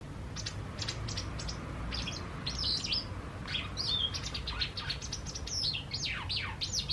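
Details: White wagtails, a pair watched as spring approaches, giving a dense run of sharp high chirps, many short downward-sweeping notes overlapping in quick succession, over a steady low rumble.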